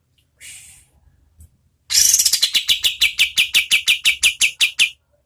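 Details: {'text': 'Oriental white-eye in medium-paced song, played as tutor audio for competition birds. A faint high rustle comes first, then a thin rising whistle leads into a rapid, regular run of sharp high chirps lasting three seconds.'}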